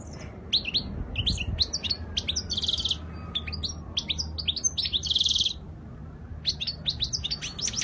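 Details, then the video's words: European goldfinch, Spanish-style song described as flawless, 2020: a fast, continuous twittering stream of sharp high notes, with a buzzy rattled phrase and a brief pause before the twittering resumes. "تغريد الحسون الإسباني الخالي من الأخطاء"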